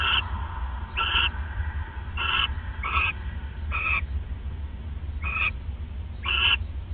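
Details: Nest-cam recording of owls bonding at their nest at 1:26 AM on 29 December 2014. Seven short, harsh, harmonic calls come at uneven intervals over a steady low background drone.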